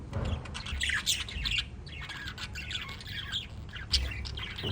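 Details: A flock of five pet lovebirds in continuous scratchy chatter, high chirps overlapping in uneven bursts, with one sharper squeak near the end over a noticeable low rumble.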